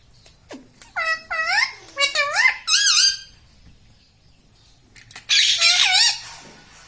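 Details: Indoor talking parrot, taught "mummy", "papa" and "radhe": a run of clipped, speech-like syllables with bending pitch, a pause, then a longer harsh, wavering phrase.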